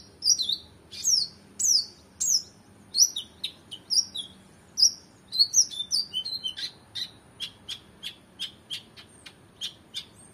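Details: Oriental magpie-robin in excited full song for tutoring competition birds: bright descending whistles in quick succession, giving way to a steady run of short clipped chip notes, about two per second.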